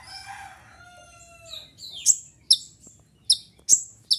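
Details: Sunbird calling, a recording meant as a lure or tutor for songbirds: after a low tonal whistle fading out, sharp high chips ring out at uneven intervals, roughly two a second.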